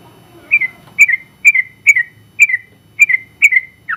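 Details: Sooty-headed bulbul singing in 'gacor' style, a first-place contest bird. Clear whistled notes slide downward, each repeated in a pair about every half second, over a faint low hum.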